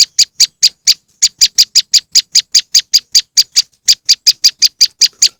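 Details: Moss wren bird lure: rapid, identical high chip notes in a rhythmic stream, broken by two brief pauses, otherwise clean with no other sounds.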